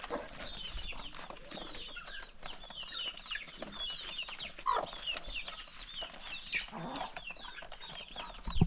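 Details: Hungry chickens gather for their first meal on a calm countryside morning, pecking and clucking. High chirps repeat constantly, and a few louder clucks and squawks stand out near the middle and end.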